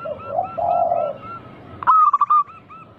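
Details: Local zebra dove singing as a lure to make other doves call: a low, soft warbling coo first, then a loud, quick phrase of stuttered, rolling notes, with faint repeated coos throughout.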